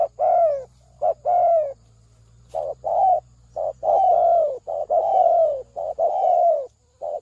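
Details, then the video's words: Spotted dove lure call used for trapping: deep, hoarse cooing notes in short bursts, two or three linked coos per phrase and about one phrase a second, with brief gaps and quiet rural background. "tiếng chim cu mồi เสียงนกเขาใหญ่"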